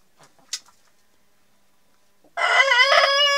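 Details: Denizli rooster, a Turkish breed, crowing among hens; after near silence with a faint sharp click, a loud, rich, harmonic crow bursts in and holds steady with slight wavering to the end.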